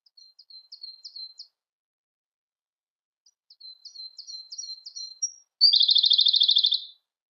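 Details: Siberian blue robin song: two runs of soft, high ticking notes, then a loud, rapid trill of about a second and a half at the end. No other sounds.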